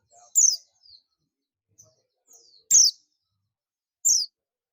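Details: Oriental white-eye of the buxtoni form calling to its companions, giving three loud, sharp, high descending notes spaced about one to two seconds apart, each a brief bright slur, with faint soft chips between.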